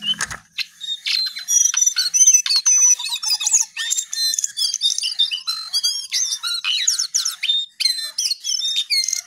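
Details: Continuous, energetic song from a lesser shortwing (cingcoang coklat), packed with high chirps, whistled slurs and rattling trills, almost without pause.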